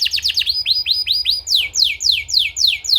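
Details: Canary therapy song for training birds, made of rapid falling chirps, then a string of looping upward-hooked notes and broad descending whistled sweeps at about three per second.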